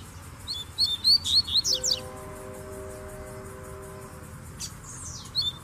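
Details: Male double-collared seedeaters (coleiros) kept by bird keepers sing with a female present. A quick burst of sharp, high chirping notes comes early, then steady low humming tones, then a few more bright chirps over a hissy background.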